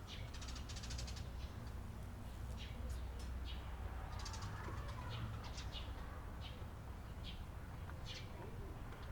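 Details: Eurasian tree sparrows on 28 April 2022 giving sporadic short chirps and chattering notes, against a heavy low hum with a faint murmur in the background.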